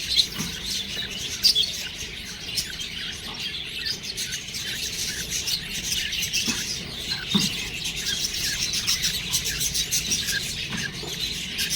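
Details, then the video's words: Budgerigar chicks chirping: a dense, continuous high chatter of many overlapping squeaks and twitters, with brief louder notes near the start and a steady hiss throughout. "budgies babies| cute birds| chirping sound"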